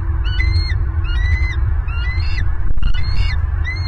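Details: Bald eagle at a nest in Southwest Florida, recorded by a nest camera on November 26, 2022 as prey is brought to its mate; high, thin rising whistled notes repeat about twice a second over heavy low wind rumble.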